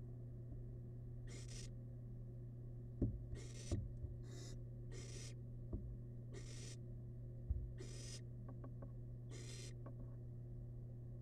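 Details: Repeated rough screechy hisses, about eight in eleven seconds, from a wild barn owl chick devouring rabbit leftovers in a monitored nest box; faint clicks and knocks of movement and a steady hum beneath.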